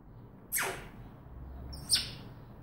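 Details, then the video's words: African grey parrot whistling: two short high sweeps, the first falling steeply from very high to mid pitch, the second a brief shrill rising-falling note about a second and a half later, over quiet room hiss. "The African Grey Parrot talking and whistling"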